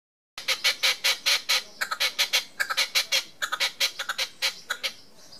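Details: A red-legged partridge displaying on a wall in Tresco Abbey Gardens, Isles of Scilly, gives a rapid, harsh, chuffing series of notes, about five a second, in rhythmic bursts over five seconds.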